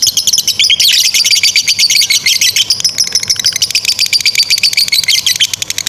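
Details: Long 'ngekek' chatter of a caged lovebird, used as a master song for young birds: rapid, piercing high chirps packed tightly together, a quick downward swoop early on, then a steady shrill stream.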